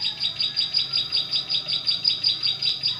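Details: Bar-winged prinia song used as a trapping lure in forest: high thin buzzy notes pulsing evenly about two to three times a second without pause, over a soft low hum.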